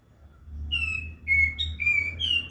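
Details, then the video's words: A prinia sings loudly: a run of five clear, thin whistled notes, some flat and some rising, strung closely together with almost no gaps over a quiet low hum. "Katem gacor besetan di ahir"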